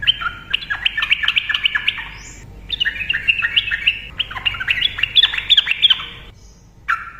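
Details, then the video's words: Vigorous Yellow-vented bulbul in continuous ropel song, used to lure silent bulbuls; long bubbling runs of quick whistled notes in three extended phrases with short pauses and a brief restart at the end. "TRUCUKAN GACOR NARUNG ROPEL cocok untuk pancingan burung TRUCUKAN DIAM"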